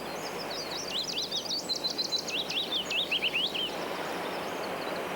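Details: A willow warbler in the British countryside sings one sweet, liquid phrase of quick high notes that cascades gently downward over about three seconds. Its song, not its looks, tells it from the chiffchaff. Steady background hiss.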